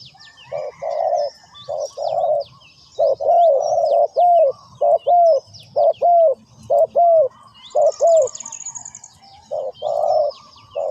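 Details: Spotted dove cooing steadily: a long series of low, soft paired coos, a short note then a longer slightly falling one, roughly once a second, over scattered high chirps and a brief buzzy trill.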